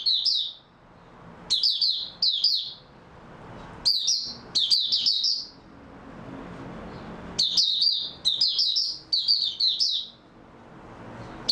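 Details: White-eye in captivity, rested after a good night, recorded 3 March 2022. High, bright chattering song comes in short clustered phrases, some clipped and some longer, repeated throughout with small silent gaps.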